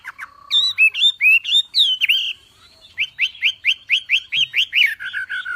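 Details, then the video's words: Javan pied starling (wambi) masteran tembakan: a low drawn-out whistle, bright looping whistled notes, then a regular burst of about a dozen quick, sharp, downslurred whistles in a steady rhythm. "MASTERAN BURUNG WAMBI FULL TEMBAKAN GACOR DOR"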